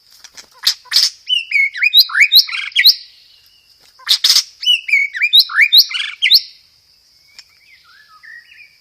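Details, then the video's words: White-rumped shama lure song, loud and clear, 'roll tembak' with 'gereja tarung' fill: two long bursts of fast, varied slurred and chattering notes separated by a short pause, then soft twitters. "PANCINGAN SUARA BURUNG MURAI BATU isian gereja tarung, full materi roll tembak"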